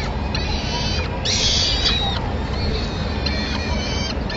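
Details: Falcons at a nest in Madrid on 24 April 2016: the male arrives with small prey and passes it to the female, who feeds the chicks, smallest first. Thin, harmonic, drawn-out calls, loudest around mid-clip, over steady low rumbling noise.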